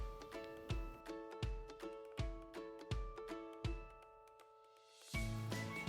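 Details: Rhythmic music with steady percussion beats and sustained tones, ending in a brief burst of noise; no animal sound is heard.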